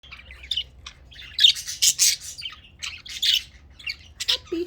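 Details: A happy lutino budgerigar, a pet female, chatters in bursts of high, scratchy warbles and squeaks, the chirpy chatter of a contented bird, while throwing its food around and making a mess.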